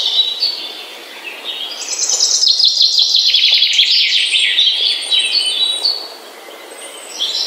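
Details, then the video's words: Morning birdsong: high, bright chirps and fast twittering trills overlapping from several birds, swelling to a dense chorus in the middle and thinning again toward the end. "The Best Bird Song - Morning Bird Ringtone"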